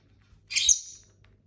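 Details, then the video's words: One brief, piercing, scratchy chirp from indoor pet lovebirds, fading quickly, with a faint low hum behind it. "Bird sounds for lonely lovebirds (Eating, Singing & Chirping Sounds)"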